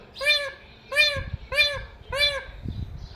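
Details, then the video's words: Talking pet parrot at home repeats four strong, rich, arched screeching calls at an even pace of roughly one every 0.65 seconds, with faint thumps and room noise between them. "Funniest Talking Parrot | Talking Mithu Parrot"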